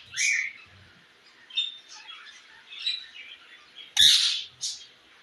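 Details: Parrot calling another parrot, giving scattered short raspy squawks and thin whistled notes with pauses between them, ending in one loud harsh screech near the end.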